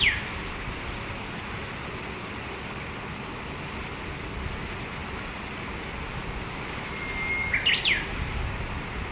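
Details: Japanese bush warbler singing in satoyama countryside, one of two birds answering each other: a short clipped note at the start, then near the end a thin level whistle followed by a fast, jumping flourish over low traffic-like hum.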